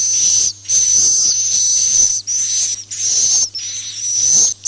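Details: Swiftlet roosting lure sound, locally called suara inap "Masal", used in swiftlet farming: hissy, high, whistled chirrs in long bursts of about half a second to a second, separated by short gaps.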